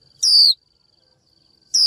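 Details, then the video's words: Female Japanese white-eye calling to a male to prompt him to sing: two short, sharp, high chirps sweeping steeply downward, about one and a half seconds apart, over a steady thin high-pitched whine. "Chim vành khuyên mái chíu gọi trống cực hay, kích bổi hót ngay!"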